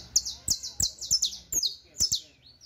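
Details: Saffron Finch, locally canario criollo, singing a teaching song: rapid high chips sweeping downward, closely spaced, ending in a thin falling slur.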